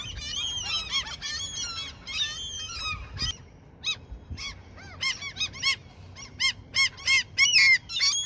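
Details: Seagulls given food in their territory while fishing begins: a cluster of nasal cries, a quiet pause, then loud separate yelps returning strongly in the last seconds.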